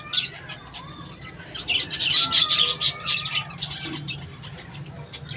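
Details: A colony of budgerigars with birdhouses: one sharp chirp opens, then a dense, rapid burst of harsh warbling squawks lasting over a second, fading to quieter twitters and low hum.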